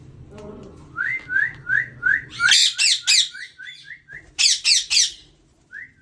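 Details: A breeder pair of rose-ringed parakeets give a quick run of short rising whistles, broken by loud harsh screeches in bursts, with a low hum underneath at the start.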